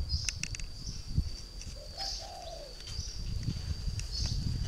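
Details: A caged spotted dove from northern Vietnam, a decoy bird three years old, utters one soft, hollow, drawn-out coo. Low rumbling noise, clicks and a high steady insect hum fill the background.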